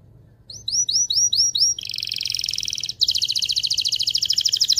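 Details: Canary singing excitedly to prepare the pair for mating: a string of quick rising whistles, then a dense buzzing trill, a short break and a second fast ringing trill.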